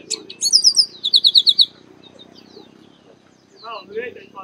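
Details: Chestnut-capped blackbird, called Garibaldi or Baia de Chiqueiro, singing a high rising flourish and then a rhythmic series of about seven ringing repeated notes, followed by quieter chatter and short lower calls.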